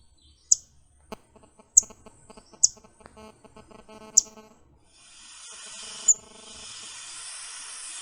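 Yellow-throated Warbler giving four sharp, high chip notes spaced about a second apart, followed by a hiss and one more faint chip; a low background hum runs underneath.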